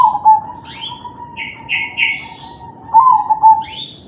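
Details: Crossbred zebra dove, kalung tempuk style, cooing as a lure for other doves to sing: a steady drawn-out coo runs throughout, with a rolling phrase near the end, under busy rising chirps and twitters of other small birds.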